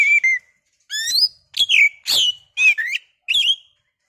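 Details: Oriental magpie-robin singing as a lure to provoke a rival into song: six loud whistled phrases, each a quick swooping or downslurred note, spaced about every half second with short silences between.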